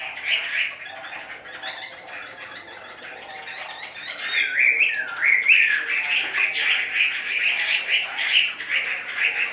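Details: Caged Chinese hwamei, the bird on the left, singing a varied run of clear whistled and slurred notes, some rising and falling sharply, delivered in quick bursts with short pauses, loudest toward the end.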